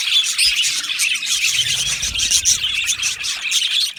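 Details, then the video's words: Australian budgies in an aviary colony keep up a steady, crowded twitter of high chirps and warbling notes, with occasional sharper squeaky tweets standing out over the continuous chatter. "Australian Budgie chirping sounds"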